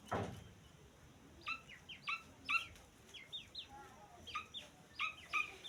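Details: Young grey francolin calling with thin, high, falling cheeps in loose groups of two or three, after a brief thump at the start; steady hiss in the background.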